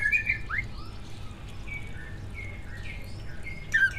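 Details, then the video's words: Captive greater green leafbird, a competition bird, giving scattered clear whistled notes and short slurs, a bright chirp cluster at the start and again near the end, against low hum. "Kicau burung cucak ijo gacor, prestasi, full masteran. buat pancingan dijamin ikut Gacor"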